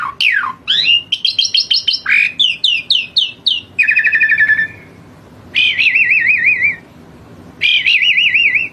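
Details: Asian pied starling in vigorous full song: varied loud phrases of rising slurred whistles, rapid repeated notes, buzzy descending series and long wavering warbled whistles, delivered in quick succession with short pauses.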